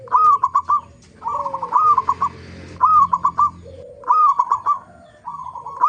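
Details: Lure recording of a local zebra dove singing to prompt other zebra doves: five repeated phrases of rapid staccato coos, each opening with a higher note, separated by lower sliding coos and faint background noise.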